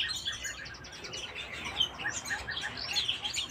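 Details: Canaries in full song, a crowded stream of bright high chirps and buzzy trills with no pause.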